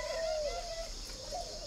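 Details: Caged spotted dove from an aviary in Ba Vì, northern Vietnam, described as red-billed and yellow-legged; a smooth low coo slides slightly downward, then a softer second note follows after a short pause.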